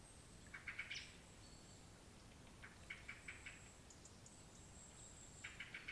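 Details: Agitated Eurasian blackcap calling outdoors: three clusters of sharp, dry ticking notes, each run of three to five clicks, spaced a couple of seconds apart, with faint high thin sounds from other birds and constant hiss.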